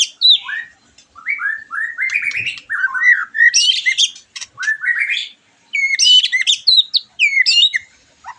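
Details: Song of a white-rumped shama, used to spur a bird after moulting: a lively string of varied whistles, downslurs and rapid chattering notes, loud and nearly continuous with short breaks.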